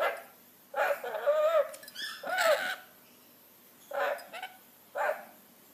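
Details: Rainbow lorikeet mimicking a dog: a few hoarse bark-like bursts, including a wavering drawn-out one, separated by pauses of one to two seconds in otherwise quiet surroundings.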